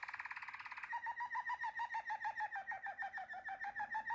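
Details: Waterslager canary singing a rapid, even trill of liquid, water-like notes, about three pulses a second after a brief buzzy start, steady and low-pitched for a canary.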